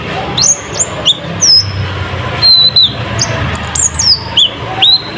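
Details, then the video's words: Singing olive-backed sunbird, known locally as kolibri ninja, used to lure spotted juvenile sunbirds into song; piercing high chirps and slurred whistles spaced irregularly, some doubled, against faint low rumble. "Burung Kolibri Ninja Gacor Untuk Pancingan Konin Trotolan, Isian Kasar Jernih"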